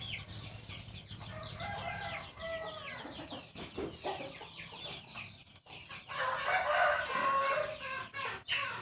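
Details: Horn-voiced rooster crowing among other chickens, each with a different voice: many overlapping clucks and calls early on, then a long, loud, rasping crow rising out of the flock near the end.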